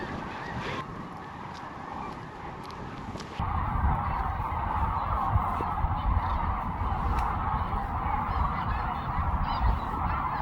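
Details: Sandhill cranes on spring migration along the Platte River at Kearney, Nebraska, calling in darkness before sunrise as big groups take off from the river and pass overhead; a dense, unbroken chorus of rolling calls that swells after a quieter start, with a low wind rumble.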